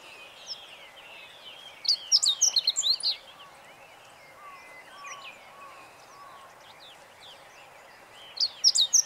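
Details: Meadow bunting (Emberiza cioides) singing, recorded 20 March 2015: a short burst of bright, high, twittering notes around two seconds in, repeated briefly near the end, over a quiet background of faint, lower chirps.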